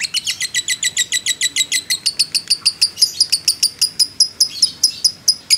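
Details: A fighter lovebird delivers a sustained 'ngekek panjang' trill, shrill clipped notes repeated evenly about five times a second, the rhythm slowing slightly toward the end.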